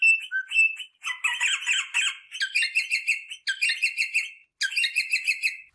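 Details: Rosella parrot sounds played to stimulate mating: bursts of harsh, buzzy chattering notes with bright overtones, in runs of about one second separated by short pauses, plus a brief lower whistle near the start.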